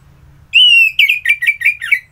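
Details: ['Orange-headed thrush from Bali in a morning song: one long, clear whistled note, then a rapid run of six short, slurred, warbling notes, with a soft low hum behind.']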